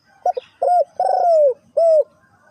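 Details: Spotted dove, Ninh Thuận, Vietnam, in the three-coo hanging cooing style: two quick soft notes, then a pure coo, a long drawn-out falling coo, and a final smooth arched coo.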